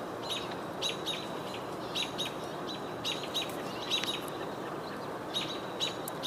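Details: American robins on 22 June 2023 give sharp, high, clipped alarm notes, repeated every half second or so in uneven bursts, over a steady hiss; they are upset by a nearby hawk, and a house sparrow is possibly also calling.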